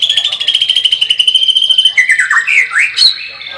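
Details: Lively white-rumped shama song heard close: a long rapid high trill of buzzy repeated pulses gives way to sweeping whistled notes curving down and back up.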